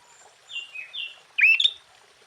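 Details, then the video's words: Sooty-headed bulbul singing energetically with a full varied repertoire, meant to rouse other bulbuls: two soft whistled notes, then one loud, quick, liquid rising-and-falling phrase. "Suara Burung Kutilang Gacor KUTILANG FULL ISIAN Ampuh untuk menaikkan Mental EMOSI Kutilang Lain."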